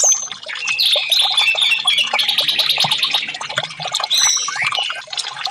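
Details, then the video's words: Orange-headed thrush song used to coax a silent bird into singing, a rich, unbroken stream of twittering and warbled phrases with sweeping whistles, mostly high-pitched and steady in volume throughout. "TERAPI Burung Anis merah 5menit burung macet langsung respon"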